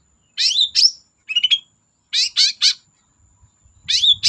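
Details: Long-tailed shrike song offered as a lure for reluctant cendet singers: paired scratchy chirps, a brief rattling trill, three rasping calls at even spacing, then more paired harsh notes; faint high hum and light thumps.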